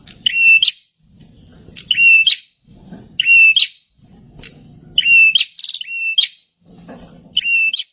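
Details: {'caption': 'Shrill prinia song used to attract wild birds: repeated loud whistled phrases with buzzy rising ends, one longer run of stepped notes midway, and a low murmur of background noise in the pauses.'}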